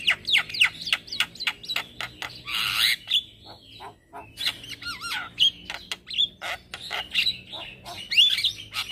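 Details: Morning song of a male Javan myna, used as a lure and tutor song for starlings: rapid scratchy squawks, clicks and twisting whistles. A harsh rasping burst appears midway, and the loud, busy medley carries on irregularly.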